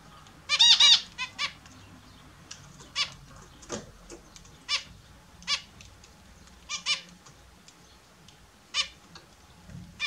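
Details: Australian zebra finches kept indoors, bathing in the morning: a loud opening burst of nasal, honking notes, followed by scattered short beeps and faint clicks with splashing-like noises between.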